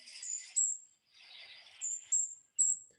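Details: A Golden-crowned Kinglet in the trees in winter gives very high, thin, airy single notes, about four spaced over three seconds and not grouped in threes as usual, with a softer hissy wash between them.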